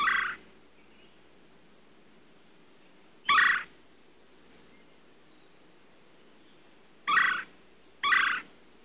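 A red-bellied woodpecker gives four short, rolling, harsh churrs at uneven intervals, with quiet pauses between them.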